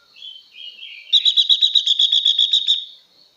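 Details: Song of a female blue-winged leafbird, used to stir up males: soft wavering warbled notes give way to a rapid, evenly repeated buzzy trill of about fourteen notes, over a constant thin high-pitched hum.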